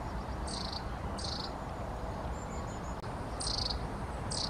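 Long-tailed tit giving short, high, buzzy rattling calls about four times, with a faint thin see-note between, over a steady low rumble of wind.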